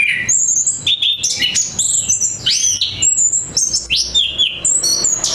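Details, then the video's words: Varied, melodious song from an orange-headed thrush: clear high whistles, sliding notes and sharp chips follow one another rapidly, some phrases repeated with small changes. "momen burung anis kembang merdu"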